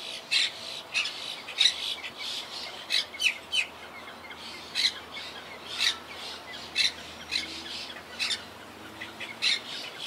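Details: Colony of wild monk parakeets, regrouping since hurricane Irma cut their numbers in half in 2017; a steady run of grating, scratchy squawks, roughly one or two each second, some doubled, over faint hiss.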